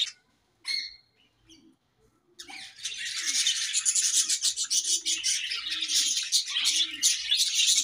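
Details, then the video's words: A colony of budgerigars chirping while eating; after a quiet start with a few isolated high chirps, a dense, continuous chatter of overlapping high, buzzy twitters bursts in and fills the rest. "Budgies Colony Chirping Sounds"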